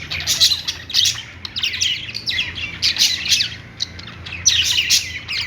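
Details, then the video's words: Budgerigars on a perch giving a steady stream of rasping chirps and whistled squeaks in short clusters, loudest near the start and end, with a low hum underneath. "budgies singing on perch | parakeet chirping sounds"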